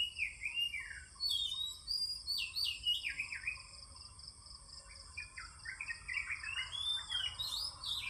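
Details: In the morning an oriental magpie-robin sings lively whistled phrases, with repeated dipping notes and rising slurs, delivered in quick succession against a constant shrill insect drone.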